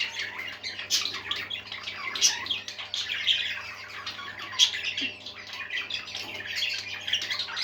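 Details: Indoor group of pet parakeets in lively song: an unbroken, scratchy chatter of squawks, chirps and clicks, with a few sharper squeaks standing out, over a low electrical hum.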